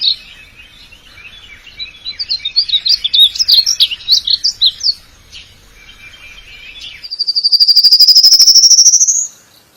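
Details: Male bird calling for a mate: a rhythmic series of high, quick chirps, then a pause and a long, loud whistle rising smoothly in pitch.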